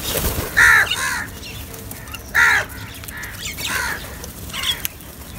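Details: Crows gathered to feed together give two loud, harsh caws about two seconds apart, followed by softer, more distant caws and faint background murmur.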